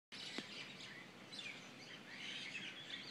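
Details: Birds singing together at dawn in Kona: a mix of overlapping high chirps and twittering phrases, with no single dominant singer.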